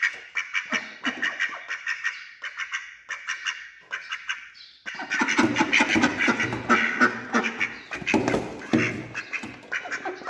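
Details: Male and female ducks eating together while being fed, also reacting with alarm to the person feeding them. Rapid nasal quacks repeat about three times a second, then become louder and denser, with noisy scuffling.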